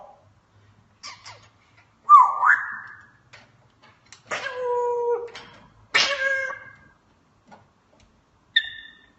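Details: Pet African grey parrot indoors producing sound effects: a rising squawk, then two loud harmonic, nasal drawn-out calls and a short high two-tone note, separated by quiet gaps; faint human speech nearby.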